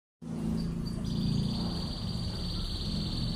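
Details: Canary singing a rolling 'tembakan ngebren' burst for bird training: after a brief high note, a long, even, rapid trill holds at a high pitch over a steady low background hum.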